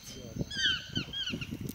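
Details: In Panama, a chestnut-mandibled toucan courting an indifferent black vulture gives a quick run of three or four yelping, downslurred notes, with low murmuring voices and rustling underneath.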